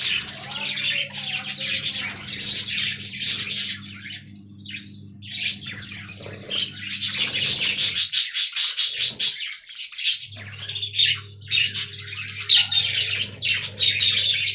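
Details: Aviary colony of budgerigars giving a busy stream of high twittering and warbled chirps, briefly quieter near the middle, over a constant low mechanical hum.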